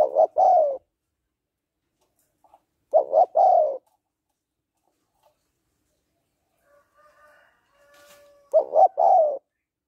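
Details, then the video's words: Cooing of a female spotted dove calling a male, phrases of two quick notes and a drawn-out falling coo, three phrases with long pauses, a faint brief whistle between them. "Tiếng Cu Gáy Giọng Hạp BổI ĐỦ BÀI [ GÁY GỌI,THÚC,GÙ ]Kích Bổi Nhanh Nổi"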